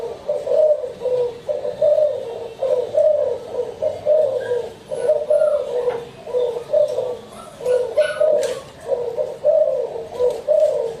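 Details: Spotted dove coos repeated about fifty times a minute, each a short throaty low hoot in an uneven series, with occasional faint clicks.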